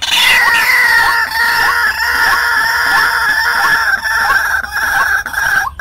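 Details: White-breasted waterhen call used as a trapping lure: strong, harsh, droning tones sounding continuously, with short rising hooked notes repeated roughly every half second underneath.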